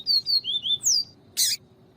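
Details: Yellow-bellied seedeater viviti-style song used to stimulate a male: four quick whistled notes and a rising-falling sweep, followed by a short harsh burst, possibly a female call.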